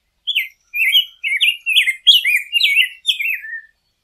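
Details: A rose-breasted grosbeak delivers a continuous warbling song of about eight looping, robin-like whistled phrases, each sliding up then down, the last phrase trailing lower.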